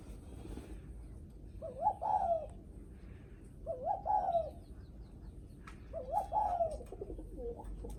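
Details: Spotted dove giving its 'guest-greeting' coo, said to sound when visitors come to the house: three phrases, each two short low notes then a longer wavering croon, about two seconds apart over a steady background hiss.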